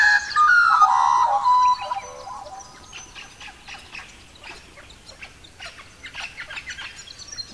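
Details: Australian magpie in a forest dawn chorus. A loud, rich, warbling phrase of fluted notes opens the clip, then fades into fainter, scattered chirps from other birds over a steady background hiss.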